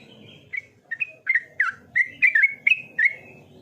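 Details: Yellow-vented bulbul singing: a rapid run of short, bubbling whistled notes, each dipping and rising, repeated about three to four per second over a faint low background hum.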